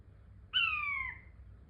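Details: King quail giving one clear whistled note of about half a second that slides steadily downward, with a bright overtone above; a quiet low hum sits underneath.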